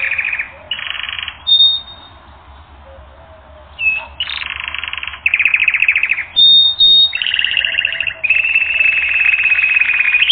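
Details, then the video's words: Canary song from a training recording: bursts of buzzy trilled tours separated by short pauses, with a brief high whistle and a long bright roll at the end. "Canary Training Record N°10"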